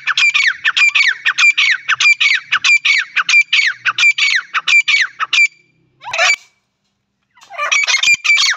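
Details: A female francolin (teetar) gives harsh, rapid squawking notes, about fourteen in quick succession, then a pause and a renewed burst of grating calls.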